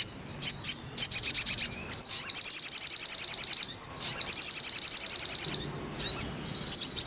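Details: Crimson sunbird song, used as therapy for a silent bird: staccato high chips building into two long, fast, even trills, with a few sliding notes between.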